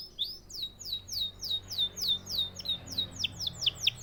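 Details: Canary repeating loud descending whistled sweeps about four per second, steadily and clearly.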